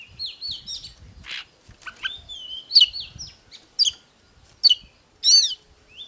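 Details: Oriental magpie-robin song, used to stimulate birds to sing and fight: soft whistled phrases and a long clear whistle, then loud sharp notes, over faint low rumbling background noise.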